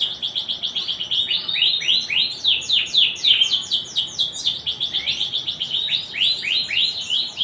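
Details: Canary singing actively in the ornate style called cengkok mewah: a fast, continuous run of high, bright, downward-swept chirps, about four notes a second, linked into rolling trills with shifting pitch.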